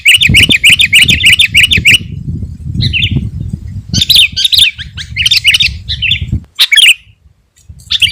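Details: Sooty-headed bulbul gacor song, used to lure in wild birds and provoke rivals: a rapid chattering run of bubbly notes, then scattered short whistled phrases, over low rumble that stops near the end.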